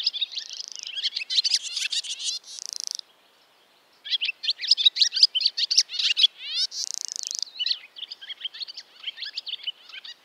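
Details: High, rapid chattering twitter from a barn swallow, broken by a brief silence, with two harsh buzzy trills woven into the stream of chirps.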